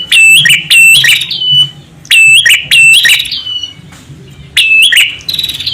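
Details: Male and female prinia calls, used as a lure for catching birds: loud, sharp, metallic chirping notes in fast runs, given in three bursts of about a second and a half with short pauses between, with a faint low hum underneath.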